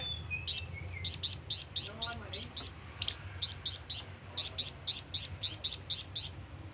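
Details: ['Flamboyan bird calling to attract companions and rivals: a quick thin whistle, then a long steady volley of sharp, very high chirps, about three to four per second with one brief break.']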